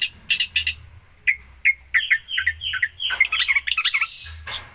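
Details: Long-tailed shrike in busy 'full isian' song: bursts of sharp notes, then a chain of whistled downslurred phrases rising in speed into a dense, chattering medley.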